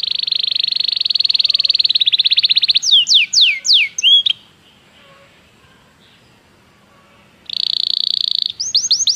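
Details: Belgian canary singing in a training recording: a fast, even trill of high notes for nearly three seconds, then a run of sweeping, down-slurred whistles, a pause of quiet, and the rapid trill starting again before more sweeping notes.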